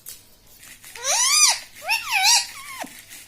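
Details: Household talking parrot, said to speak "mummy" and "mitthu", delivers two buzzy, arched, harmonic phrases followed by a short falling note, clear and close in a small quiet room.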